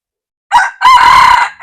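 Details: Red junglefowl crowing, dated 1/2/2024: a short harsh opening note, a brief pause, then a long loud buzzy middle phrase held level, cut as the clipped final note begins. No other sounds.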